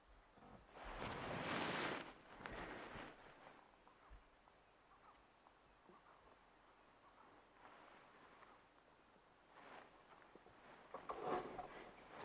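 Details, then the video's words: Crested francolins chatting, not alarm calling, possibly the ones spooked earlier, on a late-afternoon safari drive in the Lowveld of South Africa, 21 May 2024: harsh, scratchy bursts of chatter a few seconds apart, loudest near the start, with faint rustling. "Can actually hear some crested francolins busy chatting in front here. Not"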